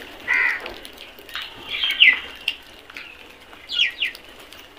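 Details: Eating crows in a flock: three separate rasping caws, spaced about a second and a half apart, over quiet background.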